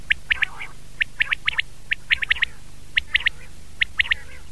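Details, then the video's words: A common quail gives its liquid three-note 'wet-my-lips' call, the clipped high phrases repeated about once a second over a low steady hum. "Common Quail Sound"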